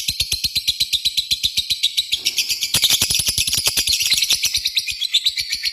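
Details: Lovebird in an extended ngekek trill: continuous rapid rattling of shrill, buzzy pulses, about four per second, growing louder and denser midway and then steadying.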